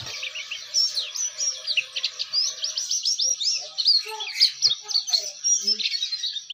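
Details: Ngeriwik song of an Oriental white-eye: an unbroken, rapid chatter of high squeaky chirps and little whistled slurs, steady in pace throughout, with a few faint lower notes and soft clicks in the background.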